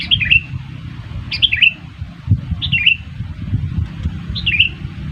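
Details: Sooty-headed bulbul lure call for trapping: four short bubbly, falling whistled phrases, each a quick cluster of slurred notes, repeated about every 1.4 seconds over low rumbling background noise.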